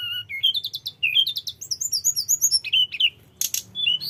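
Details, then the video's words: Snowy-browed flycatcher singing a fast, continuous run of thin, high twitters and sweet slurred notes, rising and falling with barely a pause; a faint low hum underneath. "Suara tledekan gunung gacor ngerol bongkar isian"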